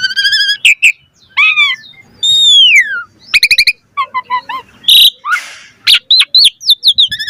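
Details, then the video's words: Asian pied starling in full-variation mompa song, a tutor recording to spur birds to sing; mixed arching whistles, rapid clicking trills and a loud rasp amid dense varied phrases. "Pancingan Jalak Suren MOMPA Full VARIASI - Masteran Suara Burung Jalak Agar Gacor Full Isian Mewah"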